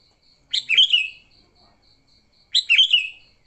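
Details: Two matching bubbly, chortling phrases of a sooty-headed bulbul's fighting song, used to lure bulbuls, about two seconds apart, each a quick run of bright whistles over a faint pulsing insect drone.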